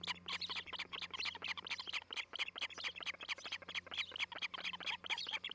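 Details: Osprey at a treetop nest in Charlo, Montana, recorded by a nest camera on July 11, 2018: a rapid, continuous run of harsh, high chirping notes, roughly several per second, over a faint low hum.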